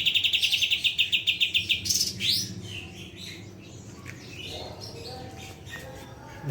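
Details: A cucak cungkok bulbul, recorded 22 August 2025 as a training song for other birds, gives a fast, even trill of about fourteen high notes, then bright upward-sweeping whistles and softer scattered chirps.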